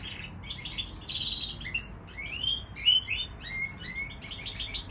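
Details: Hybrid of canary and bullfinch delivering a lively run of buzzy chirps followed by clear rising and falling whistled notes, the loudest whistle near the end of a short, busy phrase.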